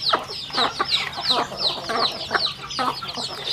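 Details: Chickens feeding together: clear, high peeps sliding downward, repeated rapidly and overlapping, with sharp pecking taps roughly every half second.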